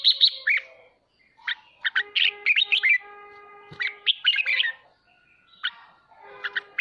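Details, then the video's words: Red-whiskered bulbul in ché song style, used to train and excite home birds; dense, rapid chattering whistles in repeated bursts, over a faint steady humming tone in the background. "Chào mào khích ché cực hay /kích chim nhà tập ché"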